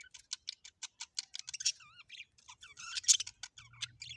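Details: Budgerigars during mating give chatter of fast dry clicks and ticks mixed with short warbled, wavering whistles.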